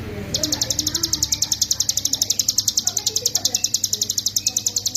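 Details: Master recording of hill prinia song in ngebren style, for songbird training: after a brief low murmur, a dense burst of shrill, clipped notes repeats rapidly and evenly to the end.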